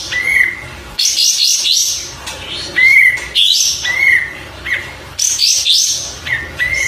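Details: Oriental white-eye song in repeated bursts: lively high twittering phrases, each closing with a short, clear, slightly falling whistle.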